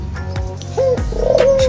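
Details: A caged Javanese zebra dove (perkutut), presumed male of a breeding pair and less well cared for lately, gives two soft, mid-pitched coos, the second longer and slightly trilled, while a man talks; its song is said to be faltering.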